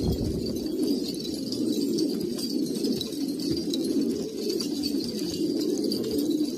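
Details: Old-line Kabul pigeons in Afghanistan fill the air with a continuous, soft, gurgling coo chorus of low pitch, rising and ebbing slightly, with a dull thump at the start.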